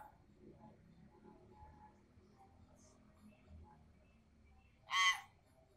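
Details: Adolescent common hill myna, kept by people who try to teach it speech, lets out one brief, loud, grating screech after several seconds of near silence with faint soft background noises.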